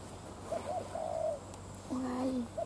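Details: Spotted dove recorded during dove trapping on a sunny day, giving soft, low hollow coos in a short phrase, a couple of brief notes then longer drawn-out ones, with quiet rustling in the background.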